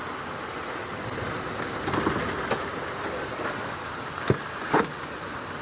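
A steady vehicle rumble with a few sharp knocks and clunks near the end; no animal calls stand out.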